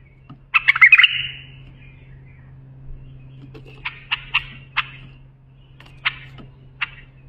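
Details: Tutor song of a bulbul for teaching young birds: a rich warbled phrase opens, then after a pause come several short sharp separate notes spaced about a second apart, over a constant low hum.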